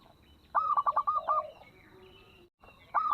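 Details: Local zebra dove with a small voice, used as a lure call to make other doves join in: a quick series of short bubbly cooing notes, then a pause and a fainter tone, with another note starting at the end.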